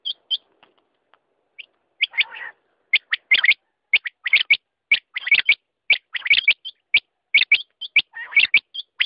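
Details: Quail calling in a repeated series of short, high chirping notes, with brief bursts of rougher chatter between them, the notes coming quickly and irregularly.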